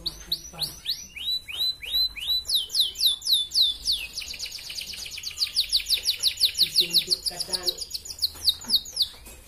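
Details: Red canary singing, used as a training tape to raise breeding drive in female canaries: fast, bright phrases where sweeping whistled notes give way to long, rapid trills repeated in tight bursts, high and continuous.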